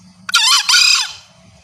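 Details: Female green junglefowl calling to bring males in, described as a loud, clear crow used as a lure; a single rasping call in two sections, a strained first note sliding into a longer harsh one, then quiet background rumble.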